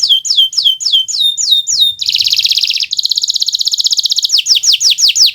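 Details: Canary of the Kenari Nusantara type in vigorous song for tutoring other birds: fast falling whistled notes, a long buzzy metallic trill lasting about two seconds, then renewed sharp downslurs.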